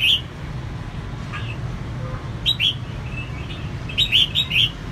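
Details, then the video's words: Female red-whiskered bulbul gives short, bright chirping notes in quick bursts, with a clustered run near the end, over a low steady hum; used to stimulate males. "CHÀO MÀO MÁI SIÊNG HOT KÍCH TRỐNG CĂNG LỬA"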